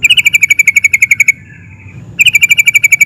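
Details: Agitated sooty-headed bulbul delivering a ngerol roll to draw answers from other bulbuls: a very fast, rattling trill of bright repeated notes, a brief soft pause with a faint thin tone, then the trill resumes.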